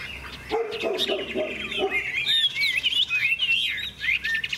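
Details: Caged Hwamei in a singing contest with a rival bird: rapid, varied warbling with looping whistled slurs, rising and falling, after a few harsher chattering notes at the start.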